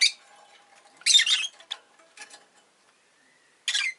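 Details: Rosy-faced lovebird kept indoors: a loud harsh screech followed by scattered short squeaks and, after a quiet gap, another rasping burst over faint background murmur.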